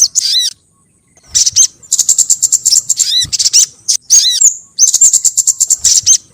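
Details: High, piercing sogon bird calls played as a lure to attract the species: dense bursts of rapid ticking chirps mixed with bending, swooping whistles, separated by brief gaps.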